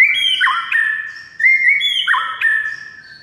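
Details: White-rumped shama singing to make another shama reply quickly: two similar loud whistled phrases, each a level note, then a quick drop to a lower slurred tone, with faint high notes above.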